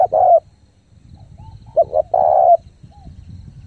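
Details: Spotted dove used as a lure bird, calling fast to draw in wild doves: two phrases, each short notes then a long, even, mid-pitched coo, with faint soft whistled notes between.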